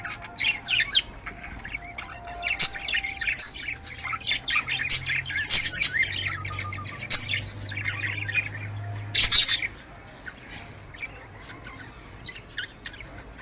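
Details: Budgerigars calling to bring birds into breeding condition: bright, fast chirps and squeaky warbled notes for about ten seconds, then the chatter fades and only a faint low hum remains.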